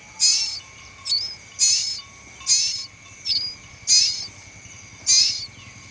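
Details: Striped tit-babbler in the wild, giving short, high, chipping notes repeated roughly every 1.2 seconds in a steady series, with a faint continuous high whine in the background.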